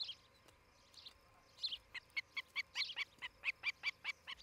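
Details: Osprey at its nest in Charlo, Montana, caught by a nest camera on the morning of 11 July 2018; scattered sharp notes give way to a steady run of high, clipped chirps, roughly two or three each second.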